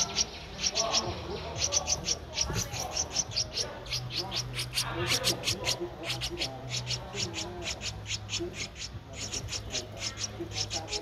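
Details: A 13-day-old Streak-eared Bulbul nestling, whose eyes opened at 7 days, begs with rapid, sharp high chirps in bursts over a low hum and faint voices; Ubon Ratchathani, Thailand, 15 April 2023.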